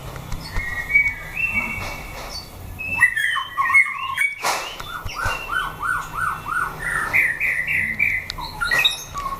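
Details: White-rumped shama in a fighting test, caged, singing steady whistled phrases. Mid-clip comes a series of five similar descending notes, with scattered clicks and a brief sharp noise.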